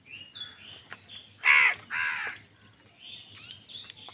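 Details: Two strong, grating caws back to back from a crow competing for food, surrounded by softer high squeaky calls and a faint background hum.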